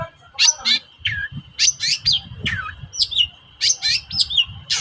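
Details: Long-tailed shrike in strong voice, used to provoke quiet shrikes into song: irregular clusters of sharp chirps, slurred whistles and grating notes, roughly one burst per second.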